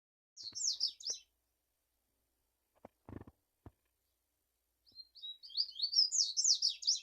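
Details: Double-collared seedeater song: two short bursts of high, quick, scratchy warbled notes, a pause with a few soft clicks and knocks, then a longer run of rapid chattering notes building in loudness.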